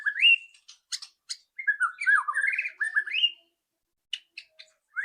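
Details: White-rumped shama, loud rattling song used to make a bird sing fast: rising whistles and sharp high clicks, then a dense rattling, warbling phrase, ending with a few isolated high ticks and a rising whistle.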